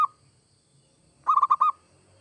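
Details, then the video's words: Zebra dove, called perkutut, of local or Bangkok stock, in active song used to encourage other doves: tail of one coo, then a single fast cluster of five mellow, evenly pitched notes amid faint low hum. "Suara perkutut gacor seperti ini AMPUH bikin perkutut anda cepat bunyi"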